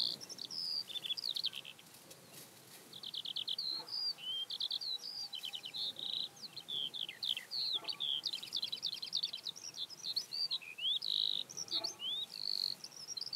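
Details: A Eurasian skylark near Hundred End, Lancashire, on 12 May 2017 pours out an unbroken, high, rapid song of chirrups, trills and thin whistles, varied and running on without a pause.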